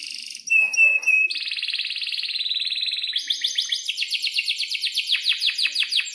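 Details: Canary in breeding condition with a long roll: a few sharp whistled chirps, then a sustained buzzy rolling trill, ending in a quick series of bright descending notes repeated several times a second.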